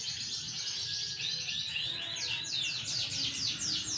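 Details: Bigsize AFS canary in green bon colour, its song a dense, continuous high chatter giving way to clear repeated downward-sweeping notes, several per second, against steady low background noise.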